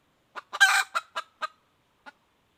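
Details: Female red junglefowl calling: a soft cluck leads into a loud raspy squawk, then three sharp clucks and one last faint note after a gap.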